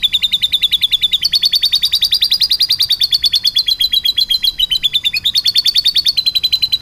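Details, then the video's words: Singing canary in lovebird style, delivering an unbroken rolling series of quick high trills that step up and then drift down in pitch, with short shifts in phrase every couple of seconds. "kenari full materi love bird"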